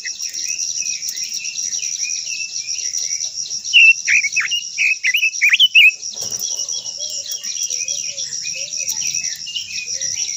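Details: Japanese white-eye singing a long-voiced song used to stir other white-eyes into singing: a burst of quick, high, twisting warbled notes lasting about two seconds midway, over a steady shrill insect drone throughout.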